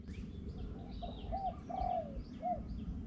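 A Spotted Dove gives three soft, low, hollow coos, the middle one longer and drawn out, over a steady rumble of background noise.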